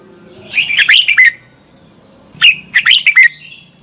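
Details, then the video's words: Red-whiskered bulbul lure song in the competitive fighting style, used to train and stir other birds to sing: two bursts of rich, warbled, rapidly changing whistles, each about a second long, with a faint steady high tone behind. "Chào mào mồi hót đấu quá tuyệt!!"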